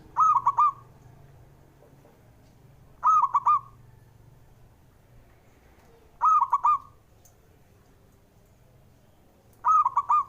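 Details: Male zebra dove (perkutut), a local bird, calling to stimulate birds that are slow to sing: four short bursts of quick, clipped cooing notes, each about three seconds apart, over a faint low hum.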